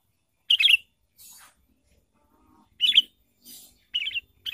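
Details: Sooty-headed bulbul lure sound used for bird trapping: short, bright chattering bursts around a sharp, squeaky peak, repeated about every one and a half to two seconds, with softer hissy notes between and near silence otherwise.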